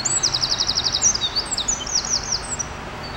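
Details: Eurasian wren singing in a park near Porte d'Auteuil, Paris, France: loud, high-pitched rapid trills of repeated sharp notes, then scattered bright whistled phrases, over a steady hum of city noise.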